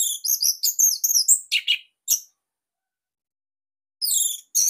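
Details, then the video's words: Caged Orange-headed thrush, Bali variety, delivering tight, loud song meant as a master: quick repeated high whistled notes and chatters, about two and a half per second, then a pause and more whistles. "Kicauan ANIS MERAH Ini Cocok Buat Masteran Burung Sahabat Dirumah"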